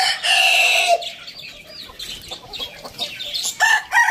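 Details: Rooster crowing in the morning: a loud harmonic crow fills the first second and drops in pitch at its close, followed by busy high chirping and twittering from small birds, with a brief harsh call near the end.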